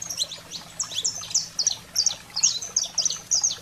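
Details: Saffron finch song to fire up canaries: brisk high whistled chips and downslurs in tight groups, roughly two or three clusters per second, with a low hum behind.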